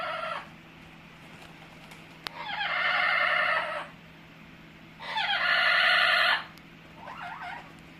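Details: Caged pet Amazon parrot producing funny noises: long, grating, nasal screeches lasting over a second each, two main bursts with a shorter wavering call at the end, over a constant background hum.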